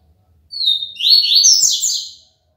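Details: ['A single loud, high-pitched phrase of rapid buzzy trilled notes, rising and then spreading into higher overtones. The singer is a caged papa-capim (double-collared seedeater) from Aracaju, Brazil, in the clean tui-tui song style.']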